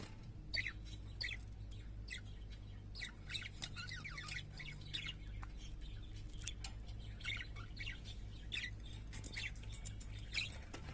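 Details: Pet parakeets singing a soft run of twittering chirps and warbled notes scattered across eleven seconds, over a steady low hum.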